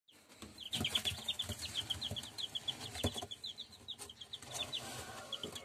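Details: German Shamo chicks, purebred, peeping: a dense run of short, high, downslurred peeps repeated rapidly and overlapping from several chicks, with scattered clicks and scuffling knocks underneath.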